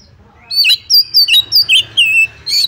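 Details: Oriental magpie-robin singing, used to provoke other birds into fighting; loud, clear phrases of bright whistles and sharp chirps mixed with rapid slurred notes in eight quick bursts, over a faint low background hum.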